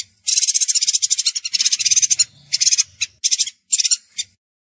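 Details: Chestnut-crested yuhina with a long, fast, scratchy twittering run, then several shorter bursts of rapid high notes separated by brief gaps; a faint low hum sits in the background.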